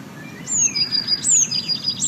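Blue tit song: very high, thin sliding notes, each followed by a quick run of lower, repeated notes. The phrase comes twice in two seconds over faint background hiss.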